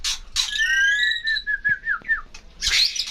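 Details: Songbird giving a long level whistle that breaks into short falling slurs, framed by harsh noisy bursts.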